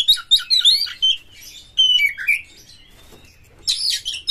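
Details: Oriental magpie-robin singing varied, rough material to coax others into song: twisting high whistles and a slurred falling phrase, a gap, then a dense burst of scratchy notes.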